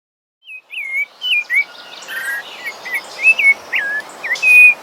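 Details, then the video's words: A thrush (sabiá) sings a run of clear, slurred whistled phrases, with notes rising and falling about twice a second, over a steady insect-like hiss. "Esse é o canto do sabiá"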